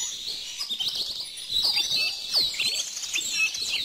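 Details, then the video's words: Softer, hazy bird chorus with a steady high twitter, a few clearer whistled chirps and downward-sweeping notes rising out of the background. "bird song"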